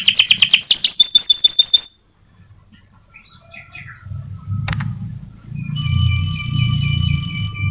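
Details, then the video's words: Lively white canary singing as a lure for other birds: two seconds of loud, fast high trills, followed by a quiet stretch with faint chirps, a click and rising low background noise. "SEMUA Burung PASTI MERESPON DAN COCOK Dengan PANCINGAN KENARI PUTIH GACOR ini! KENARI Gacor Nembak"!"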